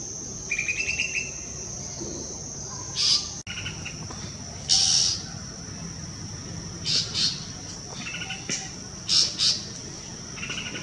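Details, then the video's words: A Golden-fronted leafbird in the Western Ghats at Pawas, India, gives short, bright chirps in scattered bursts every second or two, over a steady high insect whine. "Beautiful golden fronted leafbird chirping"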